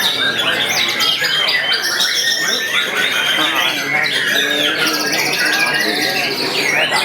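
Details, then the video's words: White-rumped shama recorded at close range, showing its delivery and singing style: loud, rich, varied phrases of rapid trills, buzzy rattles and sliding whistles, changing constantly without pause. "tembakan dan gaya murai batu donald jarak dekat."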